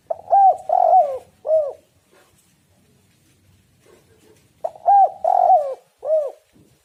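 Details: Spotted dove lure calling meant to provoke other doves to sing: two clusters of three to four mellow, throaty coos, each note arching up then down, separated by a quiet gap.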